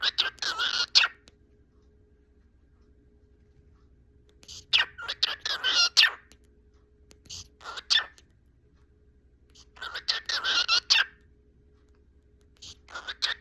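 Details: Cockatiel (Nymphicus hollandicus), talking.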